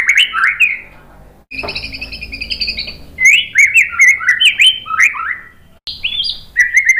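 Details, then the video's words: White-rumped shama song meant to rouse other shamas into answering and singing: looping whistled phrases that slide up and down, a harsh buzzy passage, then quick descending buzzy notes and bright whistles. "MASTERAN MURAI BATU biar EMOSI NYAUT jadi GACOR BONGKAR TEMBAKAN ¦ PANCINGAN MURAI"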